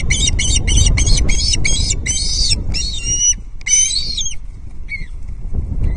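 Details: Osprey chick at Loch Arkaig on 19 August 2022, begging while being fed its second fish of the day: a rapid series of harsh, squealing harmonic calls about twice a second, becoming sparser later, over a steady low wind rumble.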